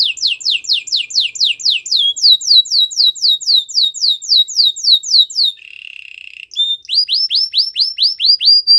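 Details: Canary song of fast repeated downward-sweeping whistled notes, about four per second, shifting to a brief low buzzy trill, then rising curved notes resuming.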